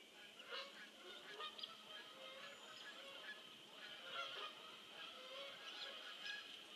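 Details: Canada geese flying over on 5 November 2015 around 9:45 in the morning, giving faint, distant nasal honks scattered through the passage against a steady background hiss.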